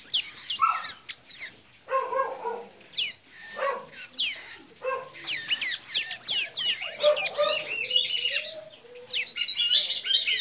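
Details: Blue-gray tanager from Santa Inês, Maranhão, Brazil, singing in dense, rapid strings of thin, curling, squeaky notes, with short pauses and a few lower chirps between phrases.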